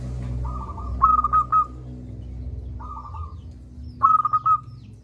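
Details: Loud, persistent local zebra dove used as a lure for reluctant singers. Two cycles each pair a softer flat coo with a louder rippling run of rapid cooing notes, about three seconds apart, over a steady low hum.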